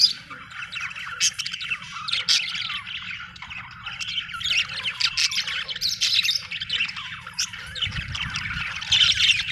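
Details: Budgie chatter: steady warbled chirps and squawky notes layered together, several sharp high clicks, rising in intensity near the end, with a low rumble underneath.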